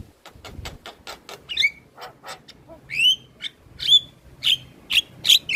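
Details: Vigorous song of a captive black-winged starling, offered as a lure to set silent starlings singing: dry clicking notes at first, then loud squealing whistles with rising sweeps and raspy bursts spaced roughly half a second apart.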